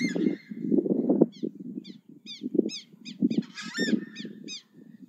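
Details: Southern screamer uttering a run of short, clipped honking notes at roughly regular intervals, swelling into a louder harsh cluster, against continuous low rumbling background noise.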